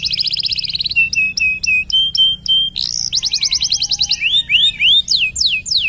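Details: Canary in nonstop song serving as a master recording for other birds: a buzzy trill, then a slower series of spaced, steady whistled notes, another rapid rattle and finally long descending whistles.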